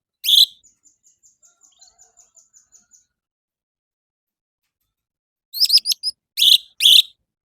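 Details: Morning song of an orange-headed thrush, meant to prompt caged birds to join in: a loud high note followed by a fast, even series of thin ticks, a silence, then a cluster of bright chirped and whistled phrases.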